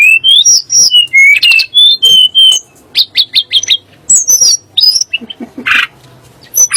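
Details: Sunda blue robin song for provoking magpie robins and shamas into singing: rising and falling clear whistles in a flowing phrase, then a burst of short sharp notes and a few scattered chirps.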